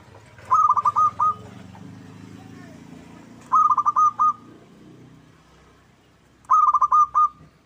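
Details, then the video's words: Local zebra dove, used as a lure to make other doves sing and answer: three loud phrases about three seconds apart, each a rapid run of clipped coos ending in a drawn-out final note, over a quiet background. "Pancingan PERKUTUT LOKAL Agar Bunyi 100% Ampuh! bikin lawan nyaut."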